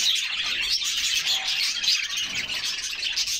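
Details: A flock of canaries splashing in water in summer, singing a dense, bright mix of chirps and short whistled notes that overlap without pause.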